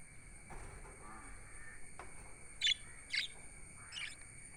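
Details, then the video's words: Budgies give three sharp, high chirps spaced about half a second apart in the second half, after a mostly quiet start with faint rustling. "Budgies chirping sound"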